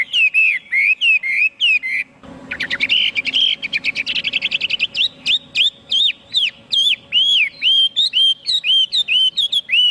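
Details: Chinese hwamei song: loud, rich whistled phrases around the upper-middle range, each note sliding down then up, repeated rapidly in runs with a burst of quick trilled notes mid-phrase; steady faint hum underneath.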